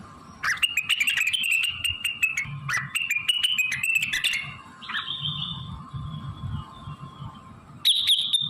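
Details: Blue-winged leafbird singing loudly with imitated fill-ins of magpie-robin, canary, prinia, ciblek, kapas tembak and cililin; two long bursts of snappy clicks over a wavering warble, a drawn-out whistled note, then a final sharp burst, all above a faint hum.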